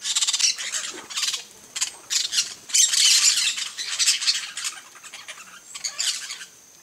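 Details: Rapid series of harsh, high squawks from yellow-chevroned parakeets on a coconut palm, coming in uneven bursts several times a second, loudest in the middle, then trailing off.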